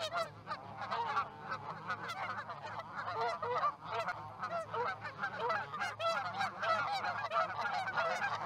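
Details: Flock of geese settling into a field near Charlo, Montana, on a February morning in 2018, a chorus of many overlapping honks and yelping calls rising and falling without pause over a constant low-pitched hum.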